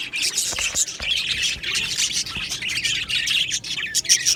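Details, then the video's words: Many Australian budgies chattering in an aviary colony, steady overlapping high chirps and scratchy warbles with a few sharp clicks, keeping an even, busy level throughout. "Budgie birds Chirping sounds"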